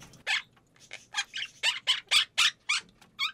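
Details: Quaker parrot at home copying budgerigar sounds, recorded by chance: rapid series of about a dozen harsh, scratchy squawks, roughly four per second, ending in a warbled wavering note.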